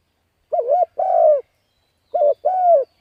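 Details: Spotted dove urging call for training decoy birds: two paired phrases, each a brief wobbling coo followed by a longer smooth descending coo, a pause of about a second between pairs, quiet background.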